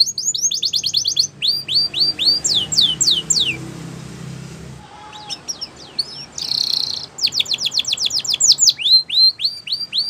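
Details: Canary training song: quick trills and sweeping rising whistles, a break of several seconds with faint low rumbling noise and scattered notes, then a buzzy tour and renewed rapid rising whistled series.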